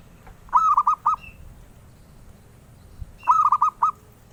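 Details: Zebra dove singing its sweet, collector-prized song. There are two matching phrases of fast, rolling cooing notes, each ending in a separate final coo, about three seconds apart.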